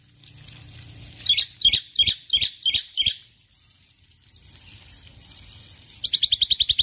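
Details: ['Running water plays under a male Black-winged myna singing in the morning: six loud harsh notes about a third of a second apart, a pause, then a quick run of rasping pulses.']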